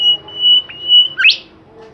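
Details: Bimoli bird singing actively: a long, steady high whistle broken briefly once, then a quick swoop rising sharply in pitch.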